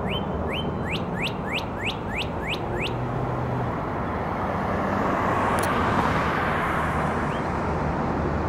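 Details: A northern cardinal sings a quick run of about eight clear, sharply slurred whistles, three or four per second, over steady traffic roar; Savannah, Georgia, 4 April 2022.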